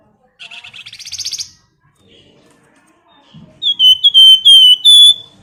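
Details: Female flamboyan bird calling the male: a rising pulsed trill lasting about a second, a quiet gap, then a loud run of clear whistled notes repeated several times in quick succession.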